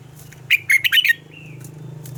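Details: Red-whiskered bulbul singing in the morning, a double-note wild-style phrase kept for voice training: one quick run of four or five clear, warbling whistles, followed by a soft trailing note and a low steady hum.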